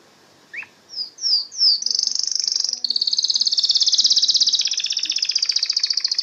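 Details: Singing canary: a single rising chip, three quick descending high notes, then a long, intense, very rapid high trill running over four seconds with slight shifts in tone.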